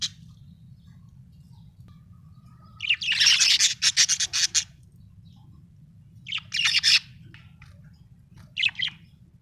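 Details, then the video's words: Happy pet budgerigar chirping: bursts of bright, scratchy warbling notes around three to five seconds, then shorter chattering phrases near six-and-a-half and nine seconds, over a faint low hum. "Happy budgie chirping sound"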